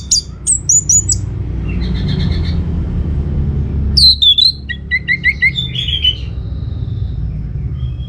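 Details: Played as a lure for answering birds, an orange-headed thrush gives quick high chips, a brief buzzy trill, then a loud burst of sliding whistles and a run of repeated short notes fading into a thin whistle.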